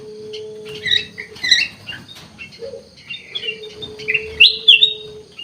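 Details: Kutilang emas, the ruby-throated bulbul, sings scattered chirps and a few sharp upslurred whistles over a background of constant low hum and rustling noise.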